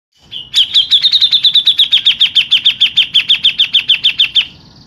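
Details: Local grey-cheeked bulbul giving a long rolling song used as a lure and master for contest birds: a steady, fast string of about twenty-five identical bright notes, evenly spaced, lasting about four seconds.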